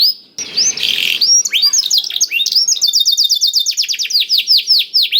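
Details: Lure recording of a canary carrying blackthroat song: a brief rough noisy burst opens, followed by quick chirps and a steady rapid run of high descending notes.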